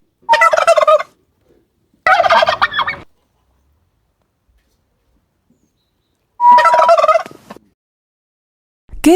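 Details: Turkey (Meleagris gallopavo), gobble.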